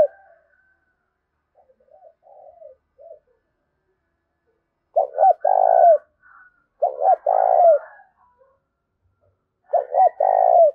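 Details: Spotted dove giving its fight-provoking coo. Soft, faint notes come first, then three loud phrases, each two quick hoots followed by a drawn-out coo, spaced about two seconds apart.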